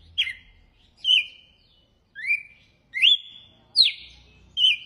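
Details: Red-cowled cardinal, açoite song type: a run of bright whistles, each starting with a sharp up- or down-slide and trailing into a steady tone, repeated roughly every second in near silence.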